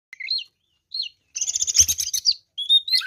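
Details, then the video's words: Oriental magpie-robin, a male fighter bird in full song: short whistled phrases, then a dense run of rapid harsh chattering and sweet notes, ending with a rising whistled strain. "kacer deker gacor ngobra fighter"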